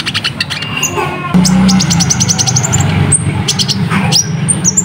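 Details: Ruby-cheeked sunbird, a tutor recording for teaching caged birds: quick staccato run of high notes stepping slightly upward, then piercing thin whistles and short upward-swept chips, all above a constant low droning hum.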